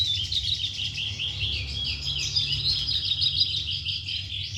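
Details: Continuous fast, twittering song of an Oriental skylark, dense run of high chirps and trills with no pauses, over a low droning hum.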